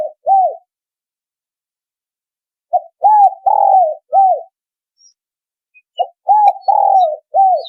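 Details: Lure call of the spotted dove, meant to attract others of its kind. Two separated phrases each run short note, arched coo, long level coo, arched coo, with quiet pauses of about two seconds between.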